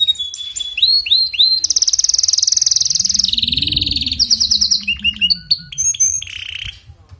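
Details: A canary sings to prompt a weak-singing canary: sustained rapid buzzy trills at varying pitches, broken by rising whistles and quick chirp bursts, with a low hum in the background.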